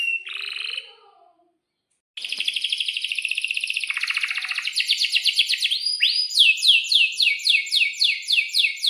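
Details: Atlantic canary in breeding condition singing a long rolling 'gacor' song: a brief buzzy burst, a pause, then a sustained buzzy trill breaking into rapid, rhythmic down-slurred whistled notes repeated about four times per second.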